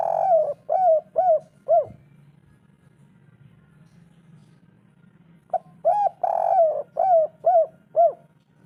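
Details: Spotted dove in the local 'kuk 3' style, used to lure quiet birds into calling: two bouts of low, arched hooting coos, four then seven notes, separated by a pause with a faint low hum underneath.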